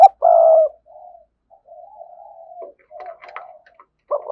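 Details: Strong-voiced decoy spotted dove: a long, loud, steady coo, then gentle low coos with a few faint higher chirps, ending on the start of another loud note.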